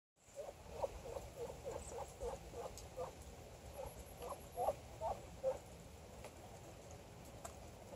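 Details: Female Muscovy ducks hanging out on a deck, giving a soft run of short, low, hoarse notes repeated about every third of a second for five seconds, then fading to quieter notes over a steady background hiss.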